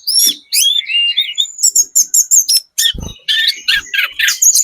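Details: Very active Sunda robin, spotted type, lure song to provoke responses: busy jumbled high warbling and chattering with short breaks and one brief low knock in the middle.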